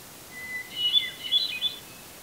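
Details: Hermit thrush singing in a red pine tree in Eustis, Maine, at 8:12 PM just before sunset on July 18, 2020: a long steady whistled opening note, then a higher, quick, fluttering cascade of flute-like notes, over faint background hiss.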